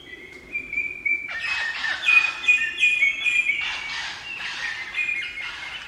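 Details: A group of crimson rosellas in Barrington Tops National Park, New South Wales, giving harsh, scratchy chattering bursts, about three a second, mixed with thin, high, bell-like whistled notes.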